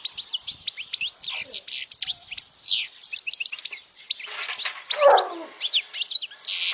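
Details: European goldfinch singing loudly, meant to attract females and prompt young goldfinches to learn and sing; a fast run of high twittering, tinkling notes and quick downslurred chirps, with a few lower rasping notes near the end.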